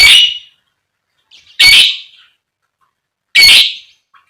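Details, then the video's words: Lovebird calling, sounds used to provoke others into long ngekek singing: three loud harsh squawks, each about half a second long and spaced roughly 1.7 seconds apart, with faint chirps between. "Suara Burung Lovebird Gacor Dor Buat Pancingan Lovebird Fighter & Pancingan Lovebird Paud"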